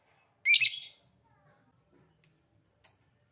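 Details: Calling lovebird used as a lure for other lovebirds: one loud, grating squawk, then after a pause two short, sharp high chips.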